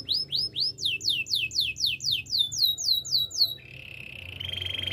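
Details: Singing canary for training: a fast series of high, descending whistled notes repeated about four times a second, speeding into a rolling trill, then settling into a soft, steady buzzy note.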